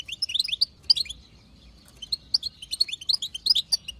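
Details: Female European goldfinch chatter (batbata) from a wild bird, played to urge males into song: rapid liquid twitters, a brief lull after the first second, then rising, crowded chirping to the end.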